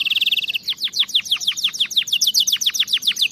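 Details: Canary song for teaching young canaries, a quick fine trill followed by a long steady run of rapid falling chirps, about ten per second.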